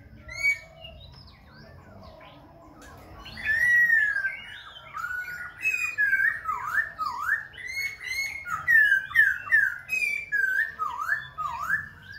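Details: Khe Sanh laughingthrush singing continuously while dancing and changing voices: an opening note, a pause, then a long run of rich, descending and rising whistled slurs mixed with thin high squeaks.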